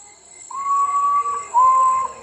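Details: At midnight, a potoo (urutau, nocturnal Nyctibius) gives two long, mournful whistles; the second is slightly lower and fades. A steady high insect hum runs underneath.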